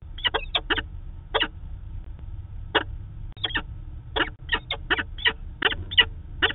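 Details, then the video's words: Peregrine falcons at a nest site in Manchester, New Hampshire, pair meeting on 2 September 2018: loud harsh broadband call notes in short bursts and clusters, irregular, repeated many times over low background hum. "Peregrine Falcon - Daily meeting"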